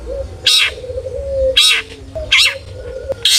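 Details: Long-tailed shrike sounding off to provoke other shrikes into singing: three harsh, grating bursts about a second apart, the last cut short, with a soft wavering tone between them.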